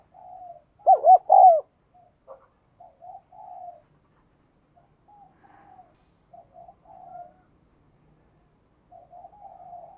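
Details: Spotted dove giving one loud phrase of two short, wavering coos and a drawn-out falling note. A scatter of faint, soft coos carries on through the rest of the recording.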